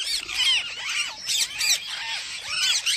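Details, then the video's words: Parrot making its own natural chirps rather than copied voices: arching whistled notes falling and rising, mixed with short scratchy squawk bursts, several per second. "PARROT CHIRPING SOUND"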